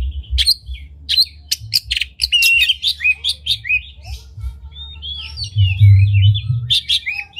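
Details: Oriental magpie-robin with tail fanned, giving a varied song to rouse other magpie-robins; sharp clicking chips repeat quickly at first, then flowing whistled warbles and slurred notes, with a low hum rising midway.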